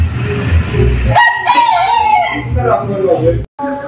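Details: Rooster crowing in a yard: one drawn-out, harmonically rich crow that holds level and then tails off downward over about two seconds, over a steady low rumble and ending in a brief cut.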